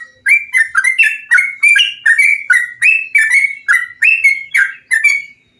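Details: Bulbul song from a recording meant to stimulate other bulbuls to sing: a steady run of about thirteen bubbly, slurred phrases, each a short warbled drop, repeated roughly twice a second against a quiet background.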